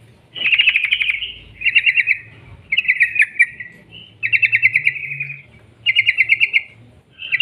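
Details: Lure song of a sooty-headed bulbul, 'ropel panjang' style meant to make other birds sing: bursts of fast rattling trilled notes, each about a second long, separated by short pauses.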